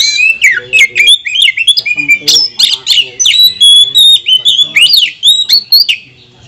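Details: Oriental magpie-robin in fast, aggressive song meant to provoke other magpie-robins: dense run of harsh squawks, sharp whistles and rapid slurred notes with no pauses, low clicking sounds underneath.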